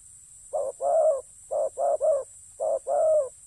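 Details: Loud spotted dove cooing during decoy ground trapping, short note then longer wavering note, one pair breaking into three quick coos, in a quiet setting.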